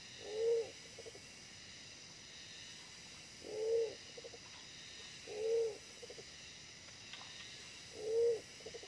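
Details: Decoy-trapping of wild pigeons with a small but fierce decoy bird: four deep, rounded coos, each trailed by a quick series of faint clipped notes, spaced two to three seconds apart against constant background hiss.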